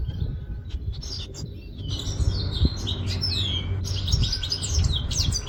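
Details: European goldfinch from Quetta singing: high twittering and slurred whistled notes, sparse at first and then a dense run of chirps in the second half, over a steady low rumble.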